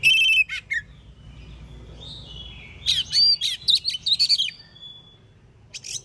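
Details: Oriental magpie-robin's morning song, used to get other magpie-robins answering: a sharp opening burst, then a lively stretch of quick, varied high whistles and chirps over faint background hum.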